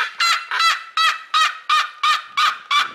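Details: A seriema gives eight loud, harsh, nasal yelping notes rich in overtones, about three per second; its screams can carry several kilometres.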